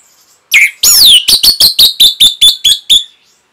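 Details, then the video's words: Orange-headed thrush song used as a training recording for caged birds: a loud swept whistle, then about nine short, sharp, evenly spaced high notes repeated quickly before silence. "CUKUP 15 DETIK ANIS MERAH PASTI MENGIKUTI KICAUAN MASTERAN INI"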